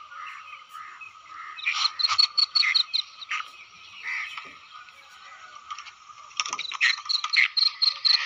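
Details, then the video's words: Calls of a female black francolin: loud, rasping, clipped notes fired in rapid bursts, about two per second, pausing in the middle before another harsh chattering run. A constant high-pitched hiss runs underneath throughout. "Kali Madi ki Awaz/Masti wali Awaz/kali Madi ki Awaz Amazing 2023/ female teetar voice"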